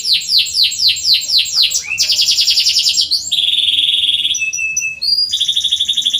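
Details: Canary song meant for training birds that seldom sing: fast repeated downward-swept notes give way to buzzy rapid trills, then steady high whistled tones and short chirps, bright and continuous, over a faint low background hum.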